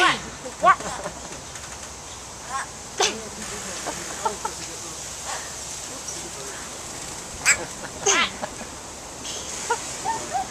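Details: White-bellied go-away-bird at San Diego Zoo, 10 February 2010, gives harsh, nasal, quacking calls in scattered bursts, several close together near the end, while a man's voice is heard speaking.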